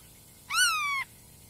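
A Black-tailed godwit gives a single drawn-out nasal call, slightly arched then sliding down, about half a second long, against a quiet background.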